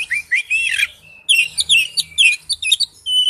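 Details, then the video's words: Wild-type forest song of an Oriental magpie-robin: dense, fast run of warbled and scratchy notes, a short level whistle, then more quick varied chirps ending on a held whistled note. "Chim chích chòe than hót giọng rừng"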